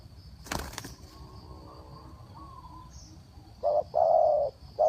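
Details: Decoy spotted dove calling to wild birds. A thump and rustle of wing flaps comes first, then after a quiet stretch three low hollow coos, short, long, short, close together near the end.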